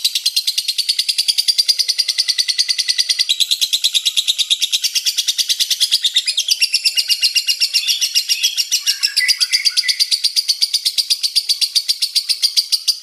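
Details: Lovebird's prolonged 'ngekek' chatter, nearly four minutes long overall: a shrill, rapid rattle of high pulses that continues unbroken, its tone shifting slightly, with some lower twittery notes near the end.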